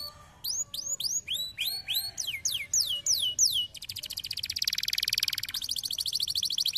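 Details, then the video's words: Canary singing intended to get idle canaries singing: a series of loud curved whistled notes repeated quickly, giving way to a dense, rapid trill that swells and then continues more faintly. "výkonné řešení kanárského líného cvrlikání"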